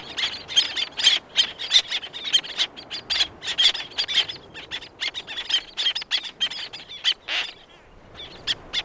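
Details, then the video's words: Several black-naped terns call close by while others sound far off: rapid sequences of thin, high, squealing notes that thin out toward the end. "Black Naped Tern / Black-Naped Tern. CU Calls From Several, Others In Distance."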